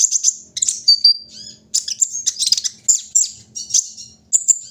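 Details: Kolibri ninja (olive-backed sunbird) kept outdoors for morning dew: energetic high chirps and thin descending whistles, mixed with brief buzzy flurries, in uneven phrases.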